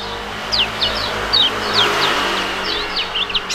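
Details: Duet of two young Indonesian contest songbirds, storing and prugut, with a fighting-type song: a steady series of short high descending chirps repeated over a hum of background noise.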